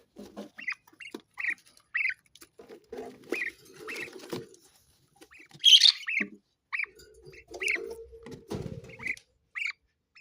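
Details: Budgerigar calls: short, separate squeaky chirps repeated every half second or so, with scattered softer chatter and a brief buzzy burst in the middle.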